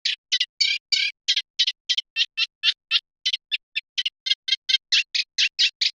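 Eurasian reed warbler singing a steady, chattering stream of short grating and churring notes, about four each second, with no other sounds.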